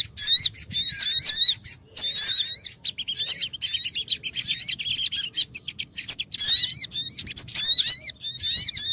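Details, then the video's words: {'text': 'Sogon calls used to lure birds into traps: dense, lively stream of chirping whistles, rising and falling quickly, overlapping in busy phrases with short breaks between them.'} "MP3 Pikat Sogon Paling Ampuh lansung Sambar"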